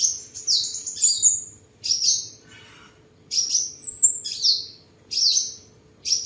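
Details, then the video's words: On 23 July 2022 in Tân Phú, Đồng Nai, Vietnam, a tame seven-colour sunbird singing and sparring delivers spaced groups of sharp falling whistles and a long high note, with a steady low hum. "Chim Hút Mật 7 Màu Thuần Ngày 23/7/2022 Hót, Múa, Đấu Đá"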